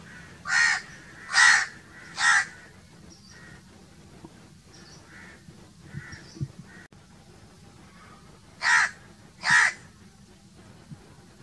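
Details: Crow calling in natural surroundings: three strong harsh caws, a pause with fainter distant calls and a few knocks, then two more loud caws.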